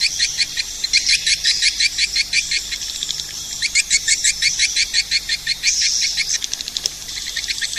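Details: Edible-nest swiftlet calling sound to attract the birds: fast, high twittering chirps in overlapping runs, nearly three per second, with a brief smoother whistled stretch near the end.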